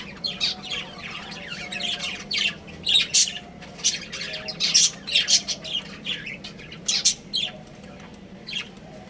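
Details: A breeding pair of budgerigars kept as pets chatters steadily, with rapid clusters of harsh, buzzy chirps and squawks coming in uneven bursts, busiest toward the middle, over a faint low hum.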